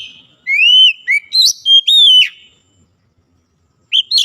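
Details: Clear looping whistles from a white-rumped shama being coaxed into full song, about six quick phrases rising and falling, a silent gap, then two more high notes.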